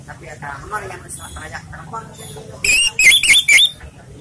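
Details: Orange-headed thrush giving its relaxed lure song: people talking at first, then a loud, fast burst of four or five bright whistled notes with sharp chattering edges.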